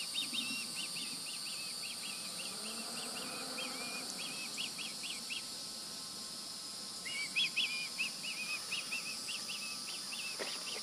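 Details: Fledged juvenile Osprey near the nest, July 2020, giving runs of high, clipped chirps in two bursts separated by a pause, against steady hiss with a few louder clicks.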